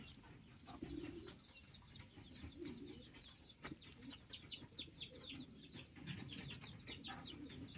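Low, throaty pigeon coos rise and fall beneath busy, high chirping from small birds.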